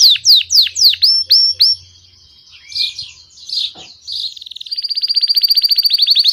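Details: Belgian canary in cheerful song: several loud falling whistles, a quiet gap with soft warbled notes, then an accelerating rattle that turns into a fast, even high trill to the end.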